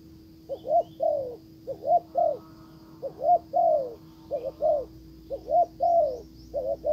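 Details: Spotted dove acting as a decoy, calling a wild bird that ignores it; deep coos in regular three-part phrases, two short notes then a longer drawn note, repeated five times in seven seconds with a constant faint hum.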